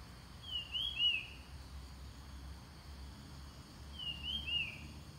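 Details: Ground thrush song used as a lure for wild birds. Two clear whistled phrases about three seconds apart, each with a rising slur and then a falling one, over constant low background noise.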